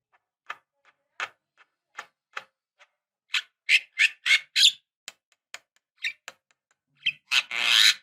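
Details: Female black-winged starling calling a male, used as a lure: soft scattered clicks and chips building to loud rasping squawks, ending in a long harsh grating call.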